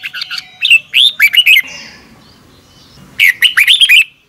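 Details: A red-whiskered bulbul gives morning song meant as a lure for training birds, an opening run of rapid bright whistles, a pause with soft background sound, then another phrase of looping, quickly repeated notes.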